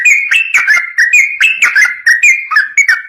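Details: Lively yellow-vented bulbul master song in the long 'ropel' style: a continuous chain of clear whistled notes, each stepping up then dropping slightly, delivered rapidly with barely a break.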